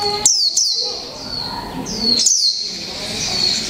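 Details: Japanese white-eye of the 'mộc tinh' type, caged for one month, in 'líu pha chòe trống' song: a few sharp high downslurred notes, then a thin sustained high warble, with a brief pause.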